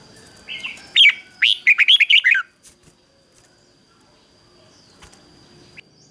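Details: Decoy red-whiskered bulbul calling wild birds to fight: a softer opening note, then a lively string of seven or eight loud, liquid whistled notes over about a second and a half, followed by quiet.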